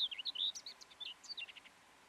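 A common whitethroat gives one brisk, scratchy warble of about fifteen quick, high chattering notes lasting under two seconds, over faint background hiss.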